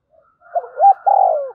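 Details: Spotted dove of the 'giọng thổ sấm' voice style, cooing to provoke a response: soft quivering opening notes build into a clear rising-falling coo, then a long vibrating coo that slides downward.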